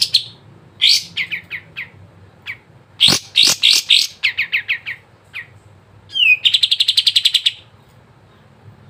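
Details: Sooty-headed bulbul song for coaxing silent caged birds to sing: scattered sharp downslurred chips and clipped notes, then a brief whistle leading into a fast, even buzzy trill lasting over a second.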